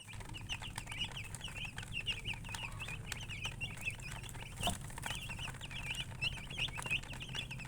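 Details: Chickens chirping: a steady stream of high, short, wavering peeps repeated rapidly throughout, several birds overlapping, over a low constant hum and scattered soft clicks.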